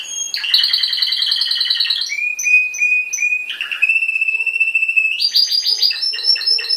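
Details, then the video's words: A yellow Spanish timbrado canary with a black patch, hatched 2012 and trained for contests, sings an unbroken run of rapid rolling trills, steady metallic held notes and bright, high chattering phrases, all clear and without other sounds. "canario timbrado cantando"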